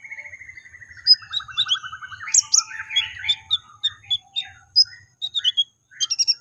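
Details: Brown-throated sunbird (konin) lure song, used to get other sunbirds singing: opens with a long, gently falling rapid trill, followed by varied high chirps and twitters spaced irregularly.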